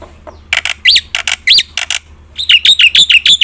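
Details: Black-winged myna song for triggering quiet birds to sing: harsh broadband notes with rising-falling whistled strokes, followed by a quick series of sharp chattering notes.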